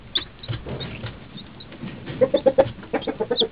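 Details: Two-day-old chicks drinking next to their mother: scattered high thin peeps and soft low clucks, growing into a quick series of louder notes toward the end.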